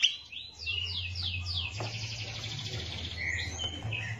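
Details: Grey-cheeked bulbul, known locally as cucak jenggot, sings masteran song in captivity: a series of clear, down-slurred whistles, then a buzzy rattling stretch and a few short whistled notes, set against a steady low hum and background noise.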